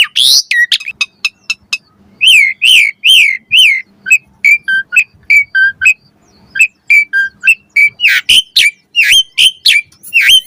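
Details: Asian pied starling master song for caged birds: clicks at first, then a series of repeated slurred whistles, followed by short whistled phrases and a final burst of harsh notes.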